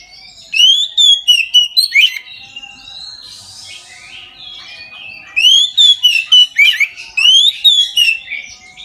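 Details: Oriental magpie-robin in full midday song, used as a prompt for other magpie-robins: two runs of rapid, loud whistled notes and chips with a soft hissy warble between them.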